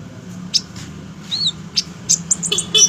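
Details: High, thin chips and a single arched whistle from an olive-backed sunbird kept as a fighter, the notes coming faster and denser toward the end, over a steady low hum.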